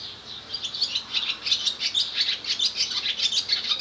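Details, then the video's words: Male barn swallow singing near its nest with its mate close by, Skala Kallonis, Lesvos, Greece, 10 May 2014; a rapid continuous twittering of high chirps and trills, notes tumbling over each other without pause. "Singing Swallow"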